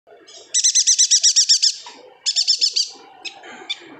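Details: Yuhina from Kalimantan, a lively singer kept as a tutor bird for songbirds such as magpie robins: fast bursts of a dozen high, bright, evenly spaced chirps, then a shorter run and scattered notes over a quiet background.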